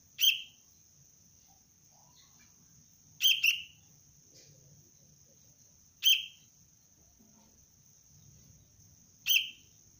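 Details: Young sooty-headed bulbul (kutilang) in basic training as a Cengkram-style pikat lure bird, giving short sharp chirps, sometimes doubled, roughly every three seconds, over a steady thin high whine and faint low background hum.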